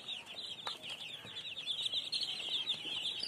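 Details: Baby chickens chirping fast and shrill, dozens of short peeps per second blending into a busy, unbroken chorus.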